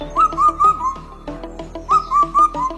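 Indian cuckoo giving two runs of four clear whistled notes, each set falling slightly, over steady background music.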